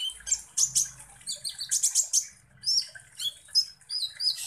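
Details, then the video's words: Sunbird (kolibri ninja) lure song meant to provoke other birds into chattering. Dense, scratchy high chips and trills come in repeated clusters, mixed with a few brief whistled notes, over a faint low background hum. "KONIN Langsung EMOSI dan NGOBRA dengan PANCINGAN kolibri ninja GACOR ini"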